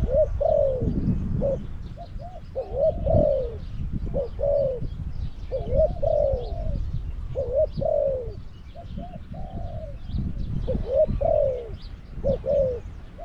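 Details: Caged decoy Spotted dove luring wild doves at Song Phi Nong, Thailand, giving soft mellow cooing phrases, each a short rising note then a longer falling croo, repeated steadily with low rustling and faint background noise.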